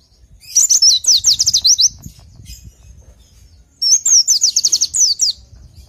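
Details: Oriental white-eye (pleci) song used as a masteran, a tutor recording for training pleci: two bursts of rapid, high, thin descending slurred notes, about eight to ten per phrase, separated by a pause of nearly two seconds, with faint low background rumble.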